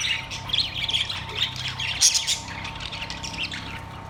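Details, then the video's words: Caged budgerigars on September 3, 2023 give a stream of warbling chirps and squawks that is loudest in the first half and quieter later, over a low hum. "Australian parrots birds chirping sounds"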